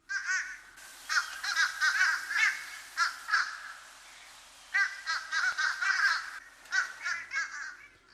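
Fish crows calling with short, nasal, hoarse notes, quickly repeated in bursts and often overlapping, nothing like the plain caw of a common crow.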